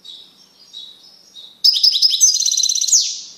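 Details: Caged male European goldfinch singing strongly after isolation from a female canary. Quiet thin wavering notes give way to a loud, rapid, tinkling twitter ending in a descending buzzy note.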